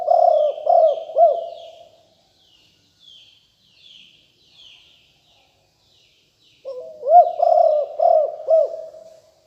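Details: Spotted dove of a fierce strain used for luring wild doves: repeated phrases of four deep, bubbling coos with a long silent pause between them. Weak chirping from other birds fills the gap.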